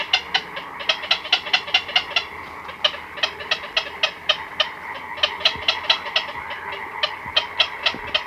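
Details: Black-crowned night herons, both chicks and adults, calling close-up in a colony at night: a steady clatter of dry, ticking calls, about three per second, from several birds overlapping.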